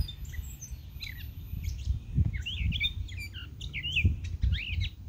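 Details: Pet European goldfinch singing a quick, twittering run of tinkling, liquid notes and sharp chirps with rising and falling slurs, over a steady low household hum.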